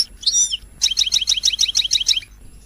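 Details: European goldfinch song used to provoke singing: a short twittered phrase, a brief pause, then a regular run of about ten quick, sharp, high chirps.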